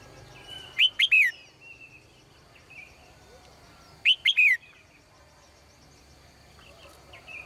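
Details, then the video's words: Female cage bird singing brightly at dawn: two phrases of three crisp, falling chirps, about three seconds apart, over a quiet background of faint high notes. "นกตัวเมียร้องเจื้อยแจ้วในยามเช้า , เสียงนกร้องในกรง"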